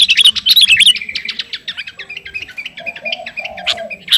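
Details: Sooty-headed bulbul, described as vigorously singing to call a rival, gives fast chattering chirps and short whistled notes around mid-high pitch, with a few low hummed tones near the end.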